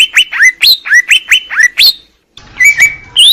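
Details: Greater green leafbird song for training other birds: a quick run of sharp downslurred notes, a brief pause, then a sustained thin whistle with rising flourishes.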